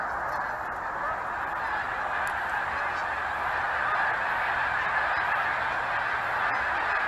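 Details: Dense clamour from a huge flock of geese that visits each year, countless honks blending into one steady roar.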